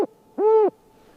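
A snowy owl gives one short, clear, nasal note that rises slightly and falls away, lasting about a third of a second against a quiet background.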